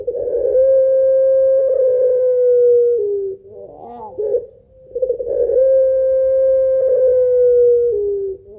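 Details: Spotted dove of the pelung type, in a long, rhythmic 'kuwok' two-note laughing song used as a lure: a steady held coo lasting over two seconds, a brief warbling rising flourish, then another long level coo.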